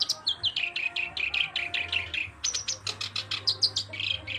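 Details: Black-browed reed warbler singing nonstop: a long run of scratchy, buzzy notes repeated about five times a second, then higher sharper chips and a whistle, with a low hum behind.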